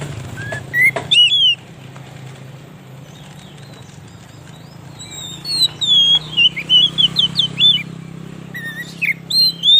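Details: Oriental magpie-robin song meant to attract wild magpie-robins in the forest; over a steady low hum and background noise come scattered whistles, then a quick string of bright, looping whistled notes and a few final calls.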